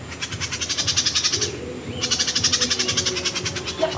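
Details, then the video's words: Myzomela observed 25 December 2022: two bursts of quick, high, rattling chips at roughly four per second, separated by a short pause, with a constant thin whine in the background. "myzomela behavior"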